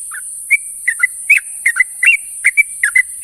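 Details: Trucuk bulbul calling its companions at dawn: scattered short chirps and quick two-note slurred whistles, roughly one burst per second, with a continuous thin high hiss behind.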